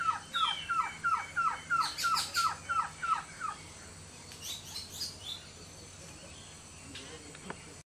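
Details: Amazonian White-tailed Trogon male, Orinoco Delta lodge, Venezuela, morning: a brisk series of falling notes for about three seconds, then quieter notes as other birds chirp higher up, followed by near silence.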